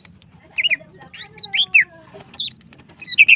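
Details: A female greater green leafbird sings hyperactively, used as a lure to stir other birds into breeding condition. Clear looping whistles and sharp chirps alternate rapidly, with a faint lower whistled line beneath and a soft background hum.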